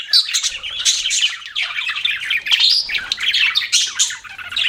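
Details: Lively pet budgerigar chirping: fast squeaky tweets, harsh buzzy notes and rolling warbles, with faint low knocks in the background.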